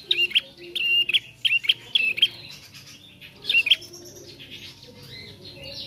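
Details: A young bar-winged prinia learns to sing, giving a rapid row of high, flat-topped chirps, then fainter, softer notes tailing off into the background hum.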